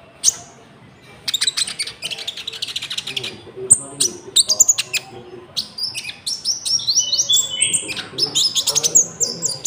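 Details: Konin song with cricket imitations, a lure for trapping and for tutoring caged birds: fast, busy chatter of sharp clicks, high whistles and descending slurred notes packed densely, over a constant low rumbling background.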